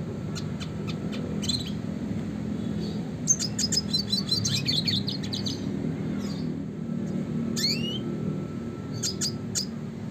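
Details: Red siskin, classic type, in a training recording for songbirds. Scattered high chirps and short sharp bursts of twittering, with a few quick upward-swept notes separated by brief pauses over a low steady hum.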